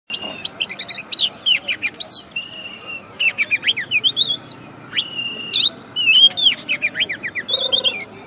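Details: First-place contest-winning oriental magpie-robin from West Kalimantan, recorded after a bird contest: bright varied song mixing long level whistles, rising and falling slurred notes and quick buzzy trills in bursts separated by short pauses.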